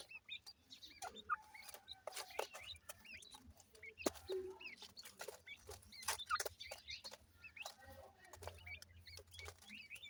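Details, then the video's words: Ring-necked pheasant chicks, several together, giving many short, thin, high peeps in quick overlapping bursts, with sharp clicks and taps scattered throughout. "Ringneck Pheasant bird Chicks,teetar chicks kiawaz"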